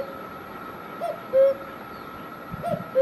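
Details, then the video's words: Cuckoo calling in Himachal Pradesh, India: one clear falling two-note phrase, a brief higher note then a held lower one, with another starting at the end against a constant hum. "Cuckoo Bird Sound"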